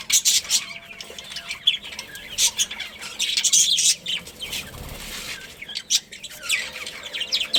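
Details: Budgerigar colony with overlapping high chirps, rasping squeaks and warbled notes, interspersed with flapping wings.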